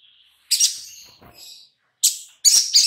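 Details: Harsh, high chirping bursts from a little spiderhunter in a lure recording meant to set birds singing, separated by short silences.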